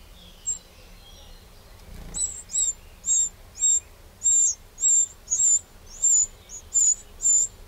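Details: Garden recording from Burgundy, France, 2 June 2023: a Eurasian wren repeats crisp, high ticking calls at a steady pace, about a dozen in eight seconds, after a brief quiet start.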